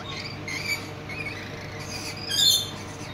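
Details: Juvenile rainbow lorikeet being fed by a parent in a zoo's tropical house in Kent, England: harsh, squawky, grating calls in short bursts, loudest near the end, over a steady indoor hum.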